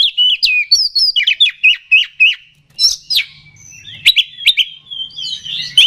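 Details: Oriental magpie-robin song for provoking rival birds into aggression: quick runs of sharp whistled notes and clicks, several per second, followed by sweet slurred whistles and a final burst of scratchy chatter.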